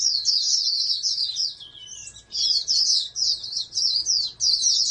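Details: High, fast twittering song of a bred oriental white-eye, a hopeful national contest winner, in busy phrases broken by a softer lower slur near the middle, a faint low hum behind.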